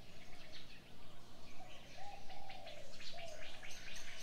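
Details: Birds at morning give a dense patter of high, clipped chirps, with two longer low, smooth coos rising out of the background in the second half.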